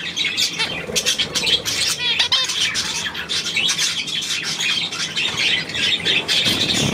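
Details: Many budgerigars warbling at once, quick clicking chirps and short rising and falling squeaks in an unbroken, busy stream.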